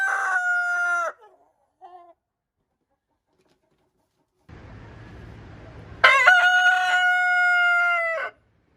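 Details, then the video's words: Leghorn rooster crowing: the drawn-out tail of one crow opens, then quiet rustling, then a full crow of about two seconds, a loud harmonic call holding a steady pitch before dropping away at the end. "Ayam Leghorn BERKOKOK"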